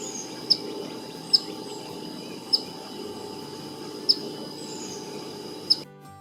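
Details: An Eastern Phoebe gives its chip call, five sharp, high chip notes at uneven intervals over a soft, steady hum of background noise.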